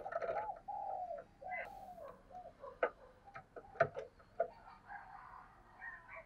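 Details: Spotted dove with soft, wavering coo phrases in the first two seconds, then fainter coos broken by sharp ticking clicks and taps over a noisy background.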